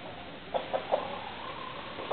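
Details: Domestic chickens with roosters kept together: a few short clucks in quick succession near the middle, about a fifth of a second apart, then one more cluck at the end over a steady hiss.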